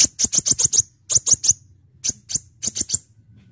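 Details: Full-voiced brown-throated sunbird song meant to lure birds: very high, sharp chips delivered in rapid runs of three to six notes, separated by short pauses.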